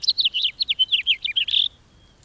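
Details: House finch song: a quick, jumbled warble of about a dozen chirpy notes sliding up and down, ending in a longer buzzy slurred note, then silence.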